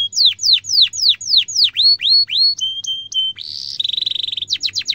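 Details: Canary song aimed at training young canaries: steady downslurred chirps, a few short flat whistles, a burst of buzzy trill, then quick sharp notes.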